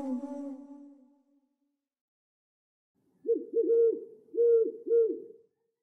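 An owl gives five mellow, mid-pitched hoots in quick succession, three then two, each slightly falling at the end, after a brief fading tone.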